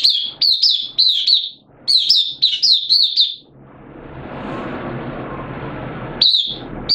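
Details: Pet oriental white-eye in open song, form a little down: two bursts of fast, looping high warbles, then a stretch of soft hissing noise before the bird resumes with a couple of bright notes.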